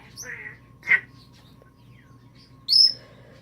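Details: Female African grey parrot kept as a pet indoors, imitating sounds. A brief raspy note, a sharp chip, quiet pause, then a loud, high, piercing squeal; a woman talks to the bird nearby.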